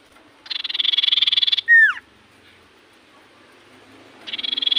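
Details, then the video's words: Common iora singing hard, its song said to draw an immediate reply from other ioras: a rapid buzzing trill ends in a strong down-slurred whistle, then a pause and the next trill begins. "Burung sirtu cipoh gacor hitungan detik burung cipoh apapun pasti Langsung nyaut"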